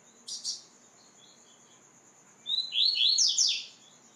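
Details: White-throated seedeater training recording: two faint brief notes at the start, quiet, then one loud phrase of a whistle and quick cascading downslurs. A steady high whine sits in the background.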